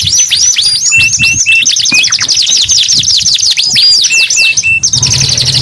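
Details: A canary in full song delivers rapid trills of sharp, high swooping notes interspersed with short flat piping tones, a dense unbroken stream lasting several seconds, with a faint low hum near the end.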